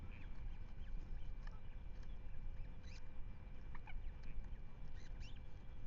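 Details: Ospreys at a nest in Manton Bay, filmed on a live webcam on 10 May 2025: faint, short, sharp rising chirps scattered irregularly through the clip, over steady wind rumble.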